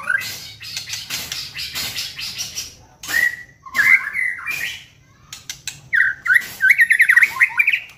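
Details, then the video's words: White-rumped shama song as a lure to get other birds singing. Scattered whistles and warbles among clicks, closing with a fast, repeated run of sharp whistled notes. "pancingan MURAI BATU agar GACOR dan LANGSUNG EMOSI"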